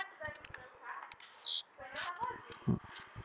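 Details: Blue-black grassquit singing the trincado song. Two quick high buzzy bursts, the first sliding downward, stand out over mid-pitched chatter and soft knocks.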